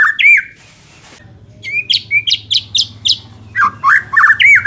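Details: White-rumped shama song meant to make a weak-fighting bird more competitive: loud whistled note, a pause with low hum, then evenly spaced sharp rising notes about four per second, ending in looping whistles.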